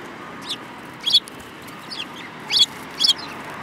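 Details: Sparrows in a group, one with a yellowish bill, filmed 5 February 2018; short high chirps repeat irregularly, some doubled into quick two-note bursts, over faint steady background noise.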